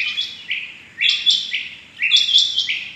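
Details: Rain quail on the morning of 6 July 2021, giving high phrases of two or three notes, each ending in a lower drawn-out note, repeated about once a second.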